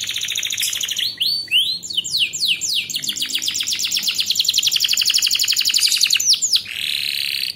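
A canary sings a fast, high, continuous song of rapid trills and chirps, about four notes a second, with sweeping whistled phrases between.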